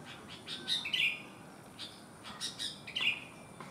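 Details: Sooty-headed bulbul with one abnormal leg singing energetically: a bubbly, slurred phrase preceded by quick chirps, then a fresh run of chirps closing in a second similar warble about two seconds later.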